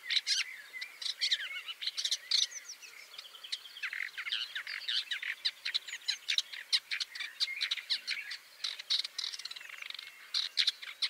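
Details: Woodchat shrike (Lanius senator) calling: a busy run of harsh chattering notes mixed with scratchy warbled phrases and sharp clicks, steady throughout, in a quiet natural setting.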